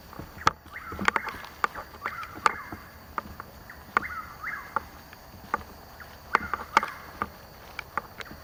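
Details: Chuck-will's-widow (Antrostomus carolinensis) singing in woods at Hungryland Slough, Palm Beach County, Florida, on 21 March 2015, two hours before sunrise, repeating its rolling whistled phrase about every 2.5 seconds over sharp knocking clicks.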